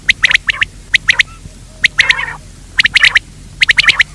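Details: Quail calls played to lure quail in daytime: sharp clicking notes in tight bursts of three or four, repeated about every second with short gaps, over low background hum.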